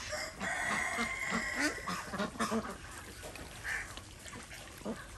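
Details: Indian desi ducks enjoying a swim in a farm pond; a rooster's crow opens, followed by a run of quick, raspy duck quacks that fade toward the end.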